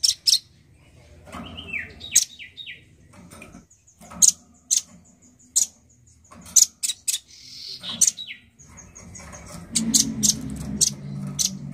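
Male nuthatch giving sharp, very high chips, singly or in quick pairs, with a few lower descending whistled notes and a thin sustained high tone over faint background hum.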